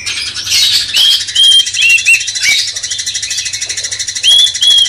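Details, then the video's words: Sooty-headed Bulbul song played as a master recording to excite a magpie-robin: a few clear, slightly downslurred whistles in quick succession, a pause, then two more whistles late on, all over hiss. "Masteran cucak cungkok bangkitkan emosi kacer"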